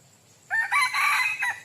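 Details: Red junglefowl rooster crowing, used as a decoy for wild junglefowl: a harsh, multi-part crow lasting about a second, opening with a rising note, then a strained sustained middle and a short clipped ending, over quiet background.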